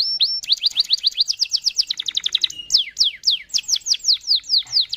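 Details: Canary singing a long lure song to prompt other canaries to join in: rapid repeated whistled notes sliding downward, grouped in fast bursts of varied phrases, loud and clear throughout.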